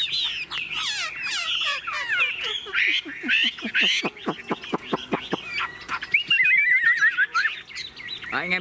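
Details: Caged Chinese hwamei, tame enough to peck at a hand, gives a jumble of harsh warbling notes over a fast rattle of sharp clicks, then a short wavering whistled phrase and a sudden rough squawk at the end.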